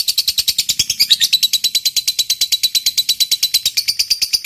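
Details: Fighter lovebird in long 'ngekek' trill, used to rile other lovebirds into answering: loud, evenly spaced high-pitched kek notes rattling along at roughly three per second throughout.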